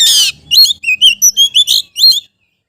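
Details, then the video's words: Magpie-robin challenging a rival: opens with a harsh, rasping burst, then about seven clear, evenly spaced whistled notes, each sliding slightly, ending in silence. "KICAU KACER MEMANGGIL LAWAN"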